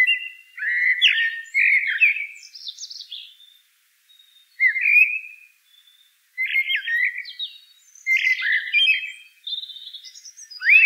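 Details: Eurasian blackbird delivering mellow whistled phrases, each followed by scratchy high twitters, with short silent gaps between phrases.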